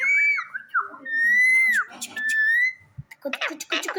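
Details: Hand-tamed ring-necked parakeet at home with kids, giving long sustained whistles that waver slightly and bend downward between notes, followed by a burst of harsher, noisy chatter in an indoor room.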